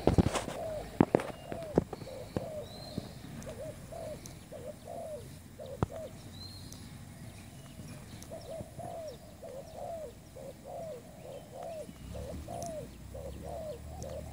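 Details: Spotted dove, a new bird kept as a trapping lure, giving soft low coos in short bursts of paired notes that pause mid-clip and then resume. A few sharp clicks sound at the start, with faint chirps above.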